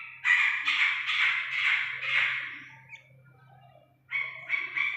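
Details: Rapid run of rasping, scratchy notes from an Iranian partridge chick, a pause of about a second, then another burst of grating calls; faint low hum beneath.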